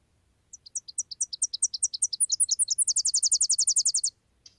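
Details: Tennessee Warbler, a spring migrant in southern Michigan that calls constantly during migration: very high, thin staccato notes in a quickening chippy series, then a fast, dry, even trill, about three and a half seconds in all, against a quiet background.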